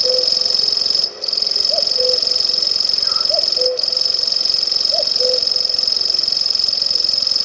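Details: Locustella grasshopper warbler song: an unbroken, shrill, mechanical reel of fast even pulses at one high pitch, briefly interrupted twice, over soft low whistled notes from another bird.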